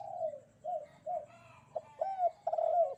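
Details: Short stretch of spotted dove cooing on a bright morning: a few drawn-out, low, hollow notes with pauses between them, ending in a louder, sliding coo.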